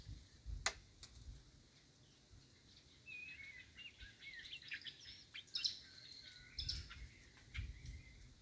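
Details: A White-rumped Shama, a young forest bird, sings a run of varied, fluty whistled phrases, some rising and some falling. A few sharp clicks and low rustling noise sound in the background.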